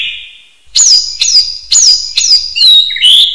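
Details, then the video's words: Common hill myna, recorded to train other birds, gives very high, sharp whistled notes repeated roughly every half second, each falling slightly, after a soft opening whistle. "MASTERAN SIULAN BEO AUTO GACOR"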